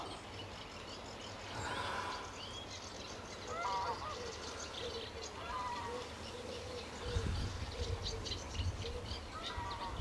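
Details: A greylag goose family at RSPB Fowlmere, Cambridgeshire, in sunny, warm May 2013, gives short, nasal, harmonic calls every two seconds or so over a low wind rumble, with thin chirps from small birds behind.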